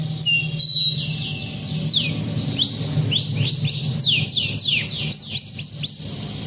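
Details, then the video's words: A singing canary calls out to a rival with a series of quick downward-swept whistles, some doubled, delivered in loose bursts over a faint low background hum. "KENARI GACOR PANJANG kenari memanggil lawan"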